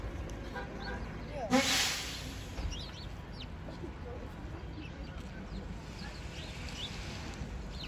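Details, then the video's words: Birds sheltering in a tree during snow at a downtown Allentown transit center, chirping: scattered short, thin, high chirps throughout over a constant low traffic rumble, with one brief loud bang early on. "Birds chirping in the snow at the Allentown Transit Center"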